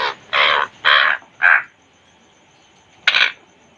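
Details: Caged African grey parrot, also called Congo grey, which the recording presents as talking: four harsh, broadband squawking bursts in quick succession, then a pause of over a second and one more rasping burst.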